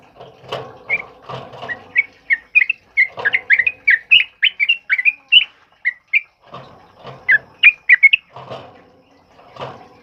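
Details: Loud, rolling ropel song of a sooty-headed bulbul in heavy downpour, meant for tutoring other birds; bright whistled chirps come in quick succession mid-phrase, bracketed by harsher rattling chatter at the start and end.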